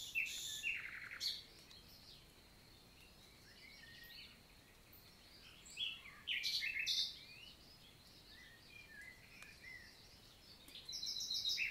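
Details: Common nightingale phrases in morning countryside forest, Lot, southern France, June 2023: scattered short bursts of sharp, rattling and churring notes separated by pauses, over faint chirps of other birds.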